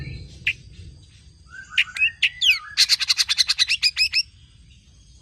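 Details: Long-tailed shrike, a tame bird singing energetically, used as a lure and tutor for other songbirds: a few isolated chips and slurred whistles build into a fast burst of roughly twelve harsh, clipped notes, then a pause and one final chip.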